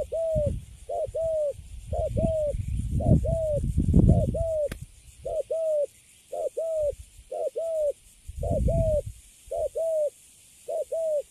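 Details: Spotted dove just caught and put in a cage, quiet and settled, giving a long series of low doubled coos, short note then longer note, about once per second, with low rumbling knocks and a sharp click.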